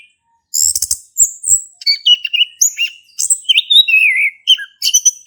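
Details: Orange-headed thrush male in 'ngeplong' song from Indonesia, used to prompt a non-singing thrush; after a short silence, rapid chirps give way to sweet slurred whistles, some wavering downward.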